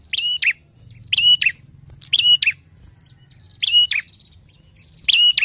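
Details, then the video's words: Loud, clear bar-winged prinia song, with five bursts of paired scratchy, explosive chirps, each pair sharp and high, repeated roughly every second against faint low rumble. "PLONG ,NYARING KICAUANNYA !! TERBUKTI CIRI PRENJAK BERKUALITAS"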